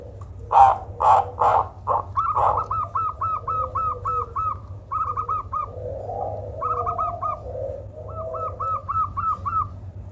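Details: Zebra dove with a strange call said to be good for luring: a few loud harsh bursts, then repeated fast runs of small arched cooing notes separated by short pauses, with soft lower murmurs.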